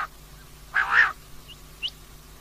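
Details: Female common quail call for night use: a single short, harsh rasping note followed by two faint thin chirps.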